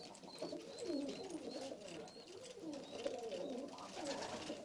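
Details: Hazel- or red-eyed Istanbul pigeons coo almost without pause: low, throaty, undulating phrases overlap continuously, with faint higher squeaks and soft rustling in an enclosed space.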